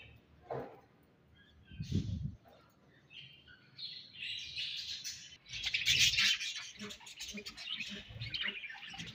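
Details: Budgerigars in breeding season: scattered high chirps at first, then a continuous bright twittering warble builds from about three seconds on, with soft low thumps and rustling beneath.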